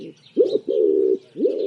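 A pigeon gives three low, soft coos. The first and last are short and swell upward, and the middle one is drawn out and steady.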